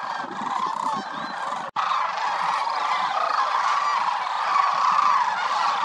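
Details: Thousands of migratory sandhill cranes wintering at the Willcox Playa Wildlife Area, where they roost standing in shallow water; an unbroken chorus of throaty, rolling bugling calls, briefly cut off near the middle, then resuming louder.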